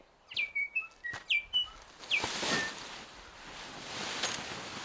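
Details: During winter camping in a snowstorm, a New Zealand bellbird sings a quick run of clear, bell-like whistled notes, some sliding downward, before a rush of wind-like noise covers the rest.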